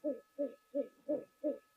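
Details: Rock pigeon calling at a waterhole during a live broadcast on 2 December 2023: soft, low, hooting coos, about three a second in a steady run, over a faint electrical hum.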